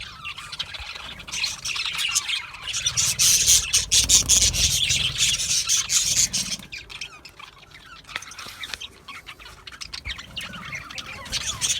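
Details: Chirping budgerigars: bursts of rapid high twittering and squeaky notes, a loud dense passage in the middle, then quieter scattered chirps and rustling.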